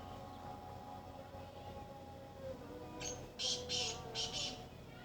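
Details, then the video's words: Black francolin in Sindh, Pakistan: a steady low hum with faint tonal bands runs for three seconds, then a harsh, scratchy burst of four or five grating notes closes the phrase. "Kala Teeter"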